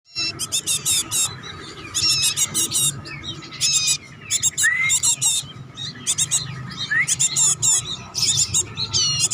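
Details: Home-kept bar-winged prinia singing in rapid bursts of high, buzzy, scratchy notes, separated by short pauses, with two clear upslurred whistles mixed in; steady low hum in the background.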